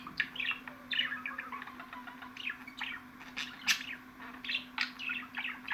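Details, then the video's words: Softer budgerigar twittering with many short rising and falling chirps and occasional sharper clicks, over a faint constant hum. "MUHABBET KUŞUNUZ ÇILDIRACAK,MUHABBET KUŞU SESİ"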